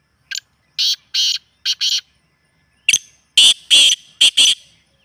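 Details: Calling black francolin used by bird keepers in training to make a kept francolin call: two loud phrases of harsh, rasping notes, each a short clipped note followed by paired grating bursts, separated by a brief pause.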